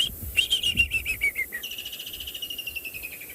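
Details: Woodland Kingfisher, a recent arrival a few weeks earlier, calls from leadwood trees in the distance on an afternoon safari at a South African game reserve on 30 November 2020: a few sharp high notes, then a long, fast trill that ripples and slowly slides downward.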